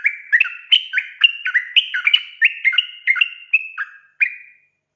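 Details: Yellow-vented bulbul (trucuk) in lively, energetic voice, played as a lure to get untrained birds singing; a fast run of bubbly, liquid whistled notes, each dropping or rising in pitch, about three per second before fading out.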